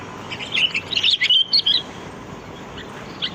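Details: Sooty-headed bulbul, called kutilang, singing lively in the wild as a bird-luring sound: a rapid cluster of bright chirps and warbled whistles lasting about a second and a half, then quiet hiss with a faint note.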